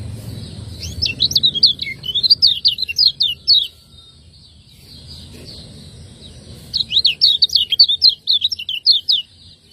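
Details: Lemon-bellied white-eye, called kecial kuning on Lombok, delivering 'ciak ngejos' training song for caged birds: two rapid phrases of high, sharp, repeated chirps, each about three seconds, separated by a pause with low hum.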